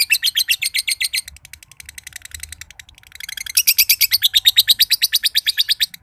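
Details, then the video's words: Green standard-colour (josan) lovebird, a prized contest bird from Mojokerto, giving its long ngekek trill: fast chattering pulses, a brief softer stretch, then loud rhythmic bursts that keep driving on. "LOVEBIRD JOSAN NGEKEK PANJANG BIKIN BURUNG IKUTAN NGEKEK"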